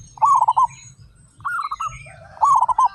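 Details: Local zebra doves, a flock of 35, in vigorous loud song. Three rippling pulsed coos, one per second, over a low droning hum and faint high twitters.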